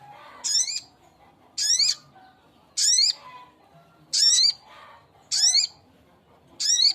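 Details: A male sogok ontong calls its mate with six evenly spaced harsh, buzzy screeches, each rising in pitch, roughly every 1.2 seconds, loud and clear over light background noise.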